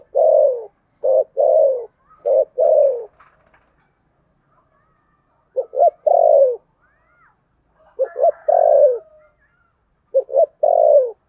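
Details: Spotted dove giving contest cooing in the Sấm Thổ voice style. Low, mellow coos come in groups of three or four, with a short double note leading into longer hollow notes. Phrases repeat with pauses of a second or two.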